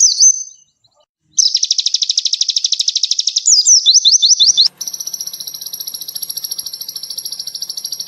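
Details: Konin (olive-backed sunbird) song in the rapid 'tembakan' style, used as a master for training other birds: a high slur, then a dense buzzy trill and quick rising notes, followed by a steady high-pitched pulsing buzz with faint ticking.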